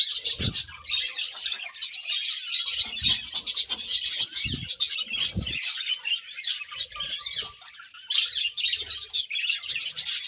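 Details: Budgerigars chirping while fed in the morning, continuous layered twittering and warbling with several low knocks from perches or dishes.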